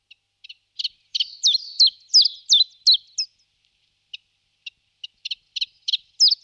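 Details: Common Chiffchaff (Phylloscopus collybita) singing: a run of short, high, sharply slurred notes delivered rapidly and evenly for about two seconds, a brief pause, then scattered single notes and a few more quick paired notes; quiet background.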